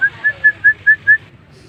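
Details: Jalak starling in energetic song: six loud, bright whistled notes in an even, rapid rhythm, all at one pitch, ending abruptly with a quiet tail.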